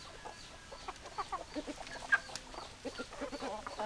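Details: Hens clucking: many short, low clucks from several birds, one sharp louder note near the middle, and a constant murmur of the flock.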